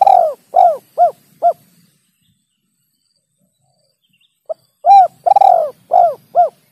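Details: A spotted dove coos for bird-luring. A phrase ends in four descending clear coos. After nearly three seconds of silence, a new phrase starts with a click, then a coo, a long rough coo and two crisp coos.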